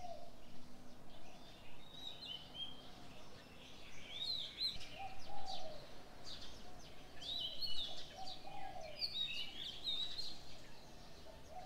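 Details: Several birds at daybreak: scattered high whistled chirps and short warbles come in clusters, with occasional low cooing notes beneath them.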